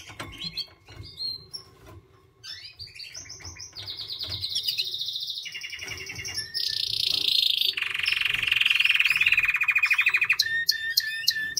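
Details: White canary song starting with scattered short chirps, then building into long, loud sustained trills and buzzy rolls that step down in pitch, ending with sharp chips.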